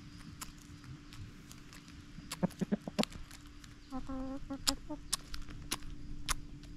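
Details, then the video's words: Backyard chickens giving a few soft, low clucks, then a brief burst of rising, nasal clucks amid scattered clicks, scratching and a steady background hum. "Backyard Chickens Clucking Noises!"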